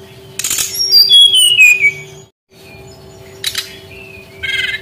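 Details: Brown-chested jungle flycatcher song used as a lure to prompt young wild-caught birds that sing little. A clear whistle slides downward, framed by short noisy bursts and a late buzzy phrase, over a steady low hum.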